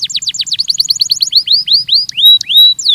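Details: Belgian canary singing a training song: fast series of descending whistled notes, then slower rising slurred phrases ending in a few long, steady high whistles.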